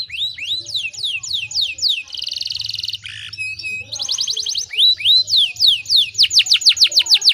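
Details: Canary singing as a lure to make other canaries sing: rising and falling whistled strokes, a harsh buzzy trill, metallic notes, then accelerating runs of sharp falling whistles over a low hum.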